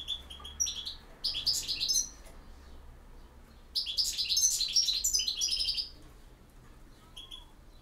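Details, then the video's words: European goldfinch singing in the campero style: two bursts of fast, liquid, twittering high notes, with short tinkling phrases before, between and after them. "El Jilguero BiH 21"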